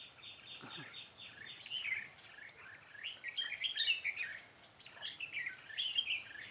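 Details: Decoy red-whiskered bulbul used to call in wild birds at a trapping site on 13 March 2017; bright chirped and warbled phrases in quick bursts, louder in the middle, with faint background noise.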